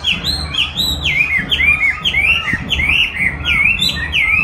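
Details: Chinese hwamei kept for singing, trained with a recording of its own song; loud melodious whistles, each phrase swooping downward in a repeated pattern about once per half second, rich and fluid.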